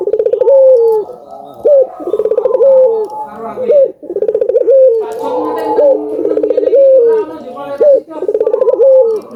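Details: Vigorous cooing of albino collared doves, played to stimulate other doves to call: pulsed, descending coos about every two seconds, partly overlapping, with faint background voices.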